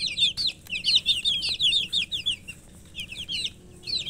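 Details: Murgi chicks, young chickens, giving shrill rapid peeps in a crowded flurry, calls falling in pitch and tumbling over one another, then thinning to scattered cheeps with short pauses.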